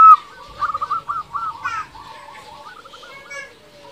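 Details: Local zebra dove singing as a lure to provoke rival doves into answering: quick runs of soft cooing notes near one pitch, a louder opening note, then fainter answering phrases trailing off behind.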